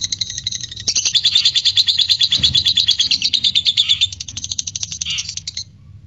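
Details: Lovebird ngekek chatter meant to provoke singing in other lovebirds; a loud, rapid, high trill starts after a second, runs about four seconds, then fades into scattered softer chirps.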